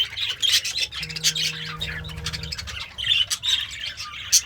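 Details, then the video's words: Happy pet budgie eating greens, uttering scattered squawky chirps and scratchy warbled notes in short bursts, with a low humming tone in the background for a second or two. "The Sounds of a Happy Budgie - Chirping, Singing, and Eating Greens"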